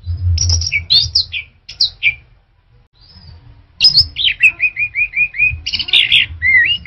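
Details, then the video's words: Orange-headed thrush singing varied melodious phrases. Sweet slurred notes come first, then a brief pause, then a series of rapidly repeated whistled notes and twisting slurs. A faint low hum sits beneath. "Tiếng chim Hoét lửa"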